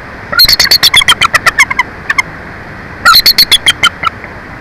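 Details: Bald eagle at a live-camera nest at Big Bear Lake during the pair's incubation shift changes: two bursts of rapid, high, piping staccato notes, about a dozen each, quickening then tapering, over a steady hiss of background noise.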